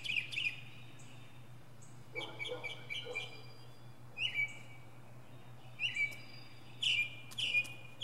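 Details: Northern mockingbird giving a mini concert from a pine treetop: sharp squeaky chirps and slurred whistles in short varied phrases, separated by brief pauses, with a low background hum.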